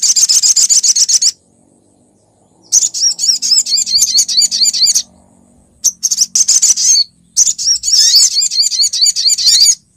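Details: Female olive-backed sunbird calling for a male, played as a lure: fast, high-pitched chattering trills in four bursts with short gaps, each made of rapidly repeated thin twittering notes.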